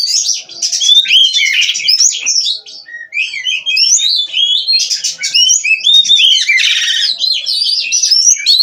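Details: Captive-bred Oriental magpie-robin in full 'gacor' nonstop song. Bright whistles and twisting warbles pour out almost without a break, with some harsh buzzy bursts near the middle and a short pause around three seconds.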